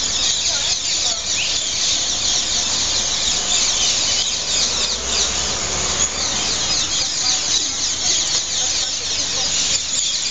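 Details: Hundreds of rose-ringed parakeets gathering at evening roost trees by Heidelberg main station, squabbling loudly over places: a dense, unbroken wall of shrill, harsh calls that never pauses, with no other sounds standing out.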